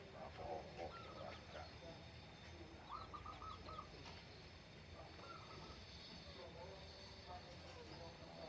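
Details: Zebra dove singing in the morning on the Menoreh slopes while a farmer has breakfast; faint clusters of short, quick cooing notes repeated in bursts every second or two, under steady rustling background noise.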